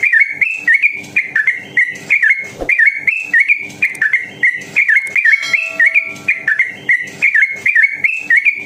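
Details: Fast, long ropel singing of a sooty-headed bulbul, used as training material to get other bulbuls singing: a continuous chain of clear whistled notes with short rises and falls, delivered almost without pause, one brief click midway.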